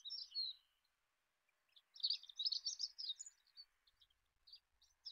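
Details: Olive-backed pipit singing in bursts of high, sibilant twittering notes separated by brief silences, with a faint low hum underneath.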